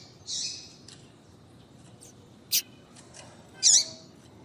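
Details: A female double-collared seedeater calls to spur a male into song: a hissing high note, faint ticks, a sharp click, and a loud chip ending in a down-curling tail, over steady low hum.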